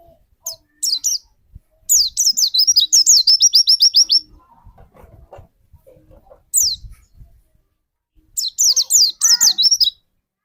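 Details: White-eye song used as a lure bird to spur another white-eye into singing: three bursts of high, rapid, twittering notes, the middle burst a long chattering run of down-slurred whistles, separated by quiet gaps with faint background noise.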